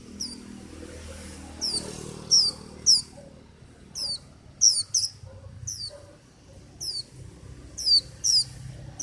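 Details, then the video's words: Japanese white-eye singing: short high, thin, descending chirped notes given singly or in quick pairs and triplets, repeated at irregular intervals over about nine seconds, with faint low background rumble. "Tiếng chim vành khuyên hót"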